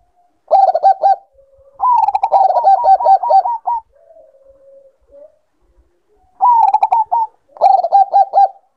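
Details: Bangkok-type perkutut, a zebra dove in breeding condition. Four bubbling phrases of rapid, stuttered coos. The second phrase is long, about two seconds. Soft low murmured notes fill the gaps, against a quiet background.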